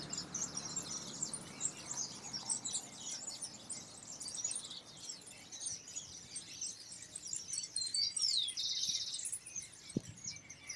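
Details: European goldfinches, starting to sing as their season approaches, give a fast, continuous high twitter of tinkling notes and buzzy trills, with a faint background hiss and one dull knock near the end.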